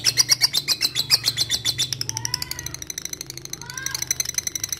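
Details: Lovebird calling a rival as a lure for long ngekek chattering: loud rapid high pulses for two seconds fade into softer, uneven chatter, with short lower whistled notes and a low steady hum underneath.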